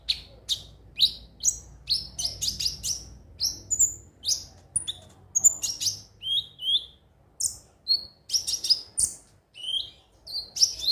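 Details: Konin (crimson sunbird) song for encouraging birds to sing: a busy stream of high chips and short falling whistles, nearly continuous, with tightly spaced bursts.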